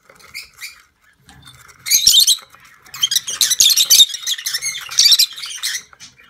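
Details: Budgerigar at a nest during an inspection, where a first-time breeding female is nervous and protecting her chicks, gives harsh, raspy squawks in several rapid bursts after a couple of soft high chirps, with brief quiet gaps.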